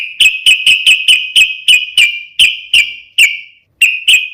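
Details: Sooty-headed bulbul giving a sharp, rapid fighting song meant to provoke other bulbuls into answering: a fast series of short, piercing high notes about every quarter second, with a brief pause near the end.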